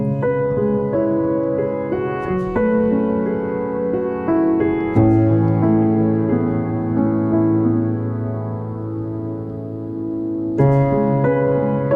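Soft piano music plays throughout, with sustained chords and no animal calls audible.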